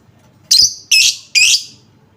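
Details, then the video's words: Lovebird lure sound meant to make other lovebirds sing: three loud, rasping, high chirps in quick succession, each about a quarter second long. "Apapun jenis Lovebird mu, pasti langsung nyaut seketika dengar suara pancingan ini"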